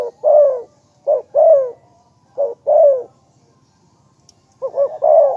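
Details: Spotted dove giving repeated cooing phrases: a short clipped coo followed by a longer, rough coo that slides downward. Pairs recur about every second and a half, ending with quick looping notes, with nothing else audible.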